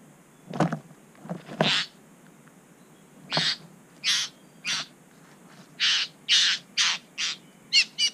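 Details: A satin bowerbird (Ptilonorhynchus violaceus) gives harsh, buzzy, wheezing calls at its bower in NSW, Australia: about a dozen short bursts over eight seconds, the later ones coming roughly every half second.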